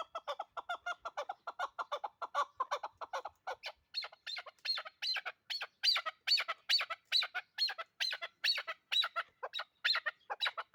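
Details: Chukar partridge kept for hunting: fast low chucks that shift midway into higher, harsher paired notes, repeated more than twice a second over a quiet background.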